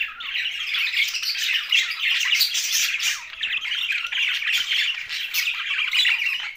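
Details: Budgies squawk and warble together in a steady, loud, scratchy chorus of overlapping high chirps that does not stop.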